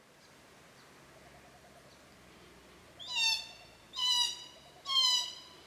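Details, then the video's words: Near-silence with low background hum, then three wheezy, harmonic calls of glossy black cockatoos about a second apart, at a Cootharaba feeding ground and nursery in Casuarinas. "Glossy Black Cockatoos at Cootharaba"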